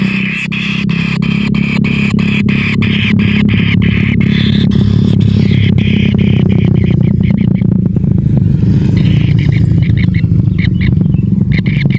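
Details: Loud, steady motor engine drone with rapid rhythmic ticking and a faint tonal, music-like layer throughout, with no animal calls.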